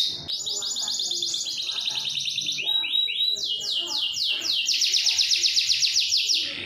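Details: Long-rolling canary song meant to prompt other canaries to sing: extended very high fast trills of repeated swept notes changing pitch in blocks, over a soft low murmur of background sound.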